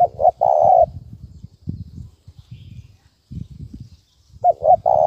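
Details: Spotted dove giving a 'thúc bổi' call used as a lure for trapping: two short throaty notes and a long level coo, repeated after a pause, with low rumbling background noise between phrases.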